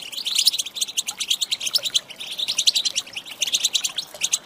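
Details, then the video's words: Female goldfinch calling to stir males to sing: lively, high, tinkling chirps in three quick flurries separated by brief pauses. "Saka Huylandırma Sesi"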